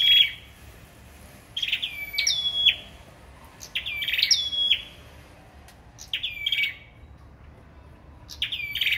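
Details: Competitive song of a sâu đầu đỏ: roughly six high phrases in clusters, each a crisp attack melting into a steady, bright whistle that descends slightly. Nothing else is clearly heard.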